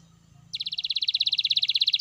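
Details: Canary song used to prompt other canaries to sing: a fast, steady trill of short, high, pulsing notes starting abruptly and continuing to the end.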